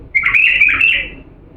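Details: Diyala bulbul song meant for training chicks to sing: a single bright, rolling warble of slurred whistled notes, just over a second long, over a low steady background.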